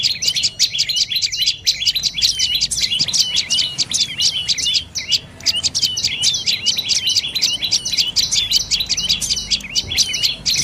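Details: Dark-necked tailorbird calling in a dense, nonstop stream of sharp high chirps and short downslurred notes, packed several per second across the whole stretch, with a faint low background hum.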